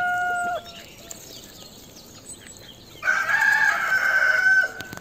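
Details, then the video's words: Rooster in a village: a harmonic tail of a call fades early, then after a quiet pause comes a loud, hoarse, rough crow lasting under two seconds, with faint small-bird chirps in the background. "Sounds of the village of roosters, chickens, and more"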